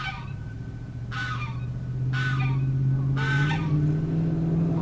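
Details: One of a pair of Ring-billed Gulls at a pond in Diamondhead, Mississippi, in January 2016 gives three harsh, nasal calls about a second apart, with Canada Geese in the background and a steady low engine rumble.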